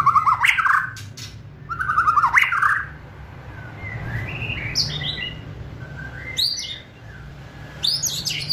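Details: Singing murai batu (white-rumped shama), kretekan phrases to speed up full song: two rough, crackling rattled bursts, then quieter whistled slurs and short high chips over steady low background hum.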